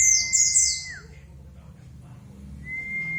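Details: Lure recording for white-eyes: a burst of very high, thin twittering runs into a long, level whistle that drops away, then after a pause another steady whistle rises in.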